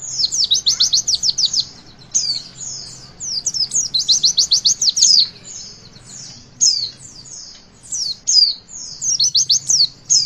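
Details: Javan white-eye 'witwit' song for training young birds to sing, opening with a dense rattle of rapid high chirps, then repeated twittering phrases and short pauses.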